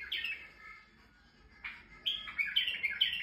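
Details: Male white-eared bulbul in Turkey singing to stimulate females: a bright, warbled descending phrase, a brief pause, then a burst of quick chirpy whistled notes rising and falling.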